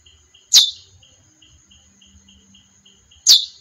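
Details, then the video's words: Two sharp, down-slurred chips from a female chestnut-bellied seed finch, separated by under three seconds of soft regular ticking and a high thin whine. "Canto Curió fêmea."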